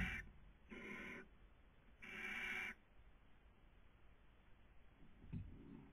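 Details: Nest-box webcam recording of barn owl (Tyto alba), 2020 breeding season, Cabañeros National Park, Spain: three rasping, hissy screeches in quick succession, the last longest, followed by a faint knock and background hiss.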